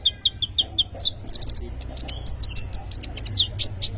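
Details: Brown-throated sunbird singing in full isian style, a song packed with inserted phrases: a run of six clear, evenly spaced chirps, then a quick burst of high clicking notes and scattered twittering over a low background hum.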